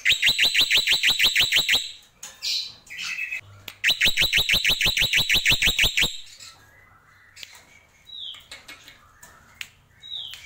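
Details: Black-winged myna (jalak pito) performing tembakan: two long volleys of rapid, sharp, evenly spaced notes separated by a rasping squawk, followed by quieter sparse clicks and two brief faint whistles.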